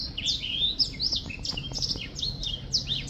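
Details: A black-throated finch sings a quick string of high, sweeping slurred whistles, some rising and others dropping, packed closely together over steady low background hum, 2023 recording.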